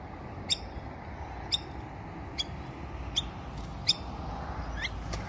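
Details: A Rainbow lorikeet (Trichoglossus moluccanus), met at close range, gives short, harsh, shrill screeches about once a second over a steady low rumble of background noise.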